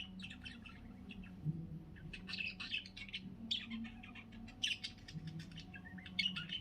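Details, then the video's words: Parakeet singing busily around afternoon nap time: a dense run of quick warbled chirps and squeaky twitters, mid-to-high pitched, in bursts over a steady low hum. "Parkit Gacor, parkit gacor tidur siang"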